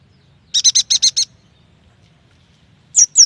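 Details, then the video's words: Yuhina song for prompting young, newly caught or reluctant yuhinas to sing: a rapid string of six buzzy high chips, a pause, then two sharp downslurred notes. "AMPUH untuk memancing bunyi burung yuhina bakalan, muda dan malas bunyi"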